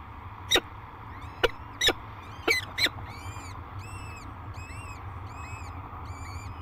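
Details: Peregrine falcon at a cliff-face nest near La Crescent, Minnesota, above the Mississippi River, on the day two chicks hatched: five sharp knocks, then thin, arched high peeps about twice a second over a steady low rumble.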